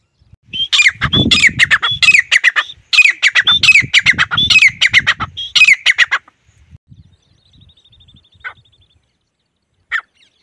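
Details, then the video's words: Grey francolin, a pet bird used to call wild francolins in from the fields: loud, harsh, rapid calls in two long bursts over about six seconds, followed by quiet, a thin whistled note and one final short call. "Teetar bulane ki trick | apne teetar se khet ka teetar kaise bulay"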